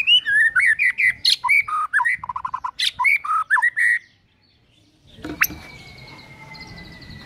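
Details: White-rumped shama morning lure song meant to set birds singing: about four seconds of fast, varied whistled and chattering phrases, swooping up and down, followed by a pause, a sharp click and a faint level tone.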